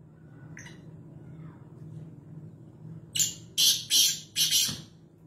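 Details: Black francolin, known locally as kala teetar, recorded at home in Nawabshah: after a faint note, four harsh, grating, broadband bursts follow in quick succession, each about a third of a second long, over low background hum.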